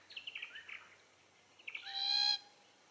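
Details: Glossy Black-Cockatoo (Calyptorhynchus lathami lathami) at feed trees of Allocasuarina verticillata in Capertee Valley: a run of soft, quick chirps, then one drawn-out, nasal, harmonic wail lasting under half a second.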